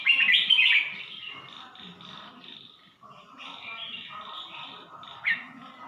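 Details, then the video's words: Red-whiskered bulbul from Suan Phueng, Ratchaburi: a loud, rich warbling phrase opens, then a brief pause and softer, fluty phrases of rolling notes follow, with one bright upslurred note near the end. "นกกรงหัวจุก สวนผึ้ง - ราชบุรี"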